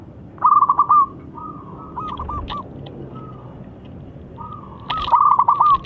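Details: Local zebra dove with a loud voice, used to make a rival answer: bursts of trilled, stuttering coos, then softer segmented notes, then another strong trilled phrase, over low background hiss.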